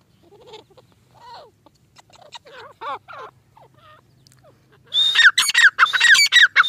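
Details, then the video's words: Grey francolin calling in the breeding season, late in the season: soft scattered notes at first, then a loud run of rapid, repeated phrases. Each phrase has a high whistle followed by falling notes, and nothing else is heard. "Teetar ki awaz | teetar sound"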